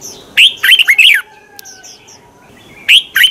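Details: Morning song of a red-whiskered bulbul meant to provoke rival birds to sing: three bright, slurred notes in quick succession, a pause with a faint thin whistle, then two more warbled notes.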